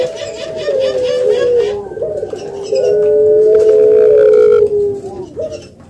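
Spotted dove giving low, hollow cooing notes with a drawn-out final coo, repeated twice; faint chirps of smaller birds in the background.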